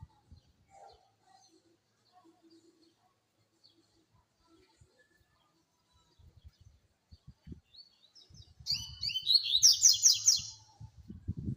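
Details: After a quiet stretch with light knocking, a double-collared seedeater bursts into a fast, high, scratchy twitter of chips and rising slurs lasting about two seconds.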